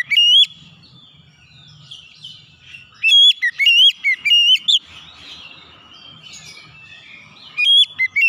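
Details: Repeated loud phrases of ringing, slurred whistles from an oriental magpie-robin, a first burst, a longer run of about eight notes, then softer warbling before another loud burst at the end.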